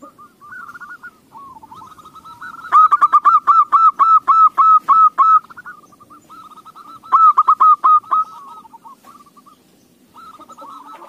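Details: Zebra dove song used as a lure to get other doves singing: softer cooing builds into a long loud series of rapid clipped coos, followed by a second shorter burst, with other doves cooing faintly behind.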